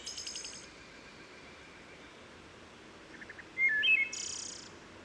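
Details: Wood Thrush at Herring Run stream, Susquehanna State Park, Maryland, in reverberant forest: faint high trill at the start, a long quiet gap, then soft low notes, a fluted whistled phrase and a buzzy terminal trill.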